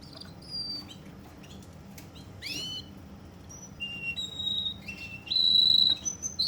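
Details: Russian canary, a caged bird in Kuwait, singing a varied song: scattered chips and a falling sweep give way to steady high whistled notes and long trilled rolls at shifting pitches.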